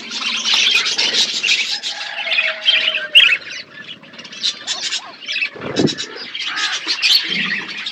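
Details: Budgerigars feeding on seeds in a natural outdoor aviary: squawky, chattering calls from several birds come in bursts, with a short low rumble midway and softer gaps between louder outbursts.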